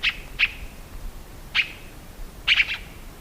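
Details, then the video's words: Tiê-caburé uttering a few crisp high chirps: two close together, a lone note, then a fast burst of three at the end, over a quiet background. "CANTO DO PÁSSAROS TIÊ-CABURÉ"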